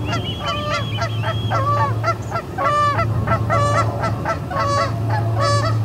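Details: Resident ospreys driving visiting ospreys off the Charlo P2 nest, midday on 20 August 2020: bursts of clipped, downward-curving whistled notes in quick runs, with a steady low hum underneath.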